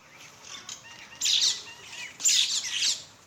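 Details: Common mynas in Bangladesh at their morning feed: two loud bursts of harsh, scratchy chatter rise out of softer background calling.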